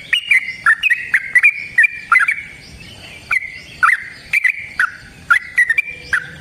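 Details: Yellow-vented bulbul delivering a long fighting song to provoke another bird. Quick warbled phrases of falling and rising notes come in bursts separated by brief pauses. Sharp clicks sound throughout, with faint whistles in the background.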